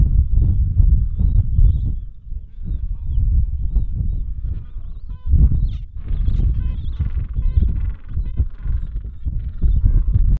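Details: Gentoo penguin at Bull Roads colony, Falklands, just back from feeding at sea, "singing" to find its nest and mate before swapping places: harsh, honking brays in a rapid pulsed series midway through, over strong, gusty wind rumble.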